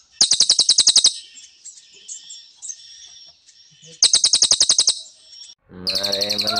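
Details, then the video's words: Cililin singing vigorously: two bursts of rapid, evenly spaced high chips, about nine per second, each run lasting roughly a second, with softer twittering between them and another bird's song starting at the end. "cililin gacor dor atas bawa nembak terus cocok buat masteran"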